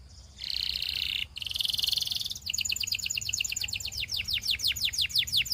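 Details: Song of a Belgian canary, meant to seduce other canaries: two high buzzing rolls at the start, then a rapid, accelerating series of crisp downward-sweeping whistles.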